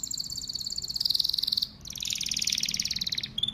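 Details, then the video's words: Male domestic canary delivering continuous rapid trills, a bright high rolling tour followed after a brief pause by a slightly lower pulsing trill. "Canary Singing birds sounds at its best | Melodies Canary Bird song"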